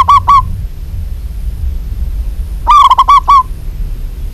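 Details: Local zebra dove, a female calling a male: short loud cooing phrases of rapid, evenly spaced notes, one brief burst then a longer five-note series after a pause, over faint low background hum.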